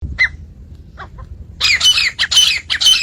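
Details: Partridge (titar) calls from a recording of Iranian and Dhakni male and female partridges, offered as a lure for calling and hunting; faint short notes at first, then a burst of harsh, raspy, rapidly repeated squawks.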